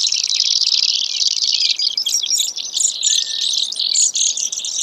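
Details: Long high buzzing trill from a Brewer's sparrow, steady at first, then breaking into choppier, varied trill segments that jump up and down in pitch.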